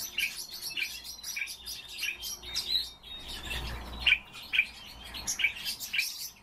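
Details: A captive common starling sings while keeping warm: sharp chirps repeated every half second or so, mixed with thin high whistles and buzzy notes over faint background hum.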